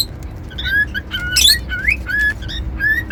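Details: Cockatiel kept as a pet, whistling brief clear notes about once a second, some flat and some rising sharply, with one loud raspy squawk partway through, over faint room hum.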